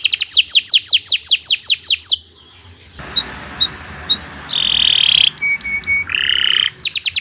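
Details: Kenari Nusantara canary training song: rapid falling whistled sweeps, a quiet pause, then scattered notes, sustained buzzy tones and a short high trill before the sweeps resume.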